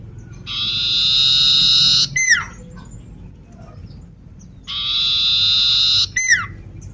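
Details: Lame-legged sooty-headed bulbul in full voice, giving a sustained rasping buzz followed by a quick downward-slurred whistle, the phrase repeated twice with silent gaps and faint low rumble.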